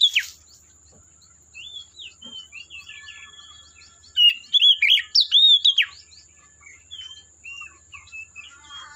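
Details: A wild Oriental magpie-robin (Copsychus saularis) in forest sings a varied run of clear, slurred whistles and quick chirps, with a louder burst of rich phrases midway, over a thin steady high hiss.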